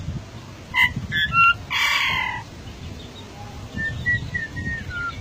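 Golden myna giving clear whistled notes and a harsh, broad burst, then a run of soft descending whistles, over low background rumble.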